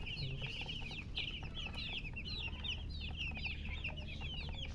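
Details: Baby chickens giving a dense stream of sharp, high, downslurred peeps, many overlapping at a fast pace, with a low steady hum underneath.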